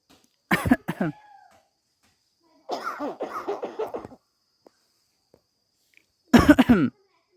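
A myna mimics human sounds: a harsh, raspy cough, then a bubbly run of about ten laugh-like notes, then a final cough. No other sounds.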